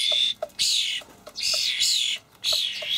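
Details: Juvenile common starlings calling for food from parents in a Hamburg allotment garden, late May 2012. Three long, grating, wheezy screeches, the middle one drawn out, with short quiet breaks and light clicks between.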